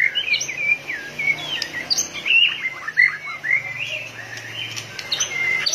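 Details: White-rumped shama, fired up and tail-flicking machine-like, gives long drawn whistles mixed with quick slurred notes. Some phrases stretch smoothly while others break into rapid twitters.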